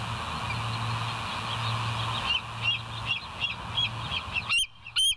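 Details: Bald eagle on a West End nest camera, 27 September 2023 at 07:02 in the morning. Faint, distant high chirps repeat over a low background hum, ending with two loud, sharp piping notes.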